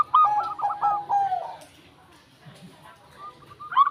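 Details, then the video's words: Local zebra dove singing one rapid phrase of staccato coos that slides slightly lower toward its end, followed by near quiet and a few faint notes. "Prekutut Gemoy Katuranggan"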